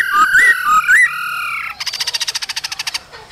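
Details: Singing male laughingthrush with a female calling to stimulate newly caught birds in the cold season: swooping whistles, then a fast, even, buzzy trill of rapid pulses.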